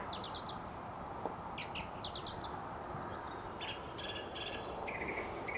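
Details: Song thrush singing at dusk outside a studio: bright, high phrases of clustered chirps and short whistles, with a similar phrase returning after about a second and a half, over a steady low rumble of background noise.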